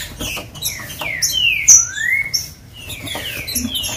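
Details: Green-winged saltator song used to excite captive birds: clear whistled notes, some falling and one long rising slur in the middle, with a sharp high note between phrases.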